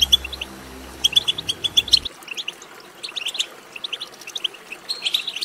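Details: European goldfinch twittering, used to stimulate a goldfinch to sing; bright, rapid chirps in loose phrases, clearer and louder in the first two seconds, then softer scattered twitters.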